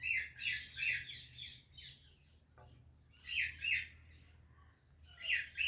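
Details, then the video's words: Indian parrot greets a Pakistani parrot with harsh, buzzy squawks in quick clusters of two or three, a quiet gap with faint clicks, then more paired calls. "Indian Parrot Greeting Pakistani Parrot"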